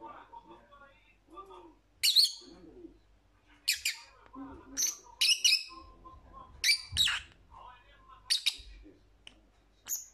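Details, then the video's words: Scattered lovebird shrieks, sharp high chirps spaced one to two seconds apart, with soft, lower murmuring sounds between them and some faint thumps. "Lovebird Sounds"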